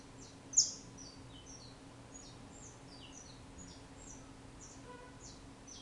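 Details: Brazilian saffron finch, or canario da terra, giving one loud sharp chirp followed by a long run of quieter, quick high downslurred notes, with a faint steady hum beneath.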